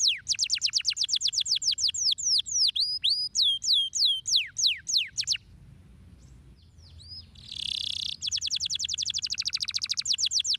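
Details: A canary sings a stimulating song meant to prompt other birds to sing: fast, high trills and sweeping whistled notes, with a harsh buzzy burst near the end.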